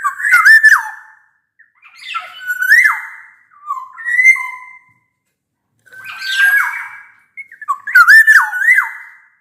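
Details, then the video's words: Loud black-naped oriole song used to stir quiet orioles into singing: five bursts of rich, liquid whistles like a bamboo flute, each sliding upward then falling, with short gaps between them. "Suara kepodang gacor ini bisa di jadikan pancingan kepodang malas bunyi"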